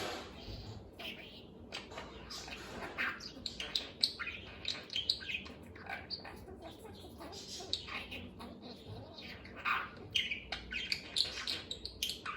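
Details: A male budgerigar talking to himself, chattering continuously and mixing warbled chirps, squawks and mimicked word-like phrases.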